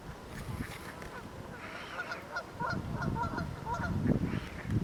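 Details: Canada geese gathered with ducks at a pond while migrating back north to nest; quick series of clipped honks, roughly one or two per second, growing louder, over low rumbling background noise.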